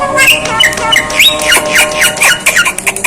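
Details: Asian pied starling giving strange sounds: a loud, varied run of squawks, harsh rasps and short falling whistles, uttered several times per second.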